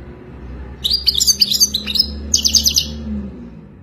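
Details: European goldfinch song for mating, meant as a model for caged goldfinches: two quick phrases of bright, jangling twitters and short buzzes over a steady low background hum.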